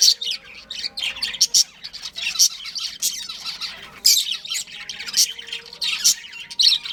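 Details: Budgerigar breeding pair giving sharp high squawks and short chirps in bursts roughly every second, separated by quieter scratchy chatter, with a faint background hum.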